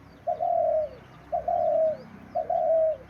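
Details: A tame pet dove, said to call a great deal, gives three drawn-out, mellow coos, each sliding slightly downward at the end, repeated about once a second with no other sounds.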